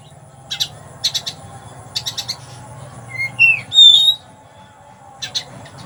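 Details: Sparrow-imitating 'rasa gereja' singing by a caged oriental magpie-robin in Palembang: rows of quick, dry chirps in twos and threes, then a rising slurred whistle ending in a bright high note, followed by more chirps.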